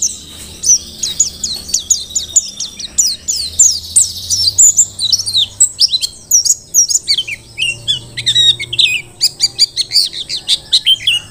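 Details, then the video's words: Merapi-type mountain white-eye singing vigorously as a master recording: a long, dense twittering song of high sweeping chirps and fine trills, briefly easing then resuming in rapid clustered notes. "Pleci Dakun Merapi Ngalas super gacor"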